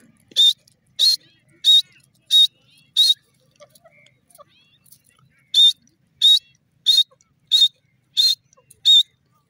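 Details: Grey francolin, locally desi teetar, calling: loud, shrill whistled notes repeated about every 0.65 seconds in two series, five notes then six, separated by a pause of roughly two and a half seconds; background otherwise quiet.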